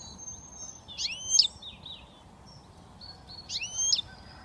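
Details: European goldfinch, a young British bird just starting to whistle, makes two ringing, swept notes roughly two and a half seconds apart, with soft, thin twittering in the background.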